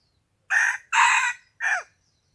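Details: Wild chicken crowing one morning, 27 February 2020: a loud, raspy three-part crow, a short burst, a longer sustained middle note, then a brief note that slides downward, against a quiet background.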